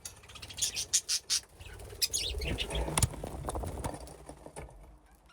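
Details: Budgerigars playing in an aviary with nesting boxes, a flock grown from two pairs. A burst of sharp high chirps opens, followed by softer twittering, rustling and wing flutters.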